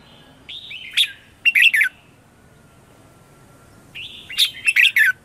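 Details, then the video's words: Red-whiskered bulbul morning song for luring wild birds: two separated bursts of slurred, warbling whistles sliding down, with a quiet pause between and faint background hiss. "Luyện chào mào hót sáng - CHÉ GỌI BỔI CĂNG ĐÉT"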